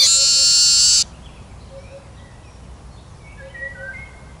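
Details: Eurasian siskin song ending in a loud buzzy wheeze that cuts off after a second, followed by faint, thin whistled notes and low hum.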